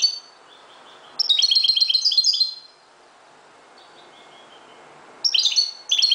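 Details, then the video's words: Singing at dawn, a Moroccan goldfinch opens with soft notes, bursts into a fast, jangling high twitter, falls silent, then resumes with quick chirpy phrases. "JILGUERO **تغريد حسون مغربي ** CHANT CHARDONNERET MAROCAIN"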